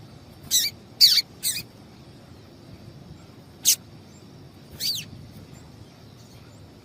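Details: A female double-collared seedeater calls to rouse males to song; a quick trio of sharp chips, then single spaced chips, one sweeping downward, with steady faint hiss.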